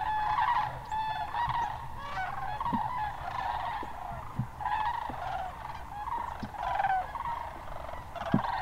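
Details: Many sandhill cranes calling together at Hiwassee Wildlife Refuge in Birchwood, Tennessee, in mid-January 2013: continuous rolling, bugling rattles that overlap and swell, with a low rumble underneath.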